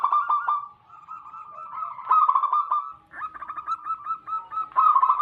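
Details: Local wild zebra doves, played as a lure for wild doves. A long, near-continuous rolling coo rises and falls in loudness, with a short pause midway before another vibrating, overlapping cooing passage.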